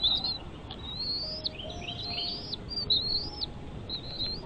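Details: Bald eagle nest with chicks: sliding high whistles, several long upward-bending notes followed by short chirps, against faint background noise.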